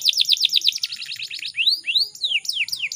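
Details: Female canary in breeding condition, used to draw males into song; quick repeated chirps, then slower upswept and downslurred whistled notes spaced about half a second apart.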